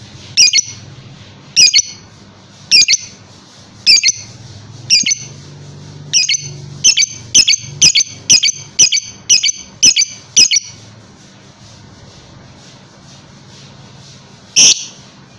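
A lovebird gives shrill, harsh chirps in quick bursts that speed into a rapid string, then pause.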